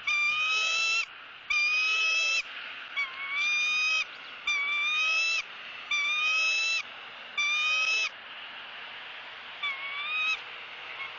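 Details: Nest camera in Southwest Florida, January 2017: a female bald eagle squawks as the male feeds her pieces of fish. Eight drawn-out, piercing whistled squeals come in a steady series, with fainter ones trailing off at the end.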